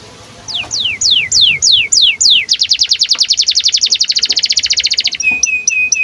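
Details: Canary in breeding condition, its song played to get young canaries singing: spaced descending whistles, then a loud, rapid buzzy trill, ending in short flat chips.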